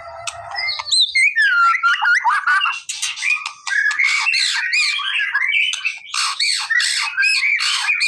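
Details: White-rumped shama, a bird sung to provoke a response, pouring out a loud, rich, varied song of whistled slurs and harsh buzzy bursts, with a brief low rumble at the start.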